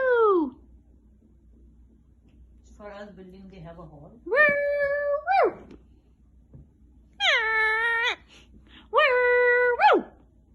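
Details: Pet Indian ringneck parrot indoors, talking and being silly: a falling whine, then low nasal notes and three drawn-out harmonic-rich squawks, each about a second long and bending up or down at the ends.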